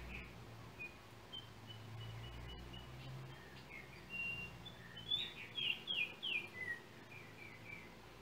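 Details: Trinidad yellow oriole, with a cell phone used in making the recording: scattered soft notes give way to a run of loud, liquid whistled phrases, each sliding down, then a trailing lower note; low hum and background noise.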